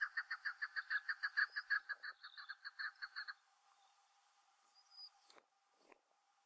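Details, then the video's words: Chukar calling to the rest of its flock: a fast run of about twenty harsh, clucking chuck notes over three seconds, evenly paced, then fading into quiet with a few faint clicks and rustles. "Chukar calling"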